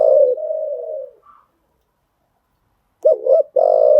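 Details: Newly caught birds are trained with this spotted dove cooing; a long low falling coo, silence, then a quick two-note coo and a sustained final note.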